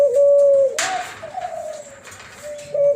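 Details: An F1 hybrid of a Kelantan spotted dove and a tangerine ringneck dove, known as Cuhu Kelantan, gives long, pure, flute-like coos. Each is held steady then falls slightly, with a brief rustle between notes.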